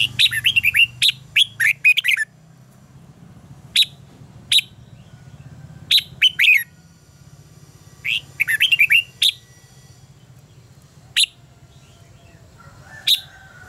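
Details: Red-whiskered bulbul in contest song used to prompt birds to sing: rapid clusters of bright, downward-slurred whistles alternating with single sharp notes and short silences. A faint low hum runs throughout.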